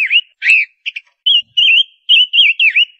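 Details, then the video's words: Ngũ sắc bird, a female used as a lure, sings a quick string of looping, wavering whistled notes with a couple of brief harsher chips between them. "Tiếng chim Ngũ Sắc mái hót, Chim Ngũ Sắc mồi"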